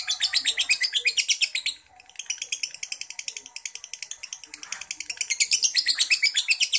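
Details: A yellow lovebird, fighter type, delivers semi-konslet chatter: dense, shrill repeated notes, a brief pause near two seconds, then the rapid run resumes and grows louder toward the end.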